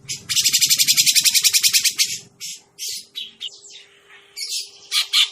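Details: Lure sound of a grey-cheeked bulbul for trapping birds: a two-second run of rapid buzzy chattering pulses over low background noise, then scattered harsh calls and a descending rasp, with a constant faint hum.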